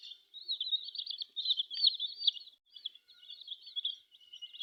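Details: Colourful chicken chicks peeping almost nonstop, a dense flock chorus of shrill, wavering cheeps crowded closely together with brief pauses, clear and close with no other sounds.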